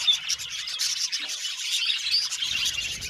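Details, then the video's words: Happy budgerigar colony in an aviary, a short burst of continuous high chatter and warbled chirps from several birds, including one thin whistled note near the start. "Happy Budgies Chirping Sound"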